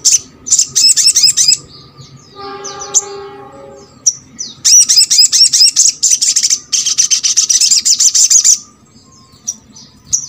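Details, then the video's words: Little spiderhunter, played so other birds of its kind join in singing: bursts of rapid, high chattering notes separated by gaps, with a lower tonal whistling passage midway and a few scattered chips at the end. "MASTERAN SOGON ( sogok ontong ) BAHAN AGAR RAJIN BUNYI"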